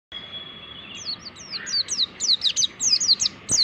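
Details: Mountain white-eye singing as training material for other caged white-eyes: after a long thin steady whistle, a fast run of high descending slurred notes, about a dozen bright chirps in three seconds.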